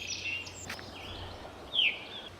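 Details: Veery (Catharus fuscescens) in Sax-Zim Bog, northern Minnesota, in May, gives its slurred, downward 'veer' call note, one clear down-slurred whistle near the end, with a fainter note earlier over a steady hiss.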